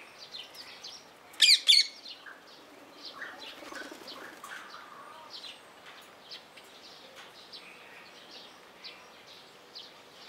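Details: At Opole Zoo, a captive blue-mutation rose-ringed parakeet gives two sharp, loud screeches in quick succession, followed by a long stretch of quiet, scattered chirps and chatter.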